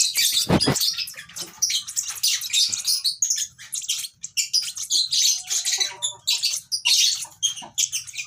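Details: Baby lovebird chirps in quick, scratchy high bursts, opening with a dull thump, then irregular chattering pulses with small gaps.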